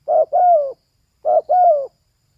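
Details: Two clear coo phrases from a female spotted dove, each a brief rough note then a longer smooth coo falling slightly in pitch, about a second apart.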